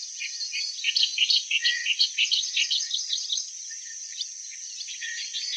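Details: Clamorous reed warbler singing: a loud run of harsh chattering notes, fast and uneven, bunched in the first three seconds and then trailing off into quieter scattered chips. A steady high hiss runs underneath throughout.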